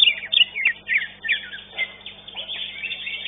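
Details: At a Legok Permai singing competition, the second-placed greater green leafbird delivers loud, rapid whistled phrases and bright chips, fading into a busy chorus of rival birds.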